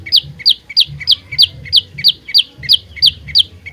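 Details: Olive-backed tailorbird, a trapping lure and fighter, repeating crisp high chip notes with a slight downward slur at an even pace of roughly three per second.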